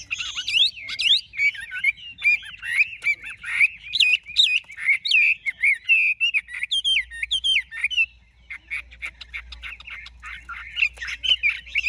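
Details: Large caged Chinese hwamei singing at length, pouring out varied whistles, trills and looping phrases, pausing briefly near the middle, then resuming with a busy, warbling medley.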